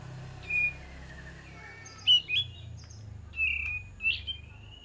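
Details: Lure song of a sooty-headed bulbul: scattered whistled notes and quick upswept chirps separated by short pauses, set against constant low-pitched background hum.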